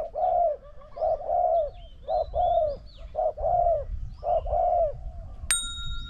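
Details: Spotted doves, a decoy bird facing a wild bird that coos strongly, in a hunting contest. Mellow low coos in paired groups, a short note then a longer slurred coo, about one a second. Faint high chirps behind, and a sharp electronic beep near the end.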